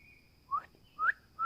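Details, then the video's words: Bird singing in a forest: three short, clear whistled notes that each slur upward, spaced about half a second apart, over a faint steady background hum. "Relaxing Birds Sounds at Forest"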